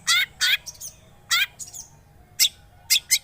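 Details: Long-tailed shrike lure for a silent shrike: a few loud, rasping, buzzy calls separated by pauses, with faint squeaky notes between them and low background hum.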